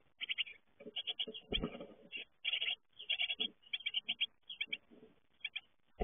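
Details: Young great tits around fledging time, leaving the nest: rapid, high chirping calls repeated in quick bursts, with short pauses between bursts. A loud low thump near the middle and dull rustling sounds come from movement.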